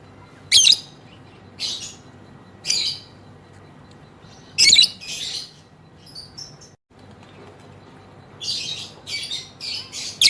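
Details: Female lovebird giving harsh, buzzy shrieks in short bursts, irregularly spaced every one to two seconds, with a quicker cluster of rasping notes near the end.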